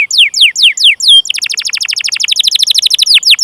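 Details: Canary song meant to prompt young or silent canaries to sing: several descending whistled notes, then a long rapid rolling trill of short chirps, closing with a falling note.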